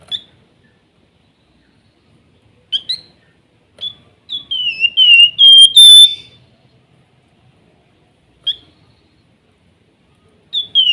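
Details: Golden-bellied gerygone singing in a quiet room, giving thin, clear whistled notes, some sliding down, a run of several in a row in the middle, and single whistles spaced out before and after.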